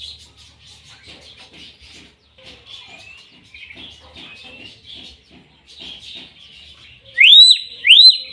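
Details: Common hill myna singing a long run of soft chattering and twittering notes, then two loud rising whistles that level off near the end.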